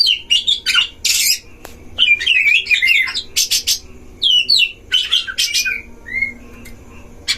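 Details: Oriental magpie-robin song from a breeding cage, used to provoke other magpie-robins: rapid harsh and whistled phrases that thin out toward the end, finishing with a few soft whistles.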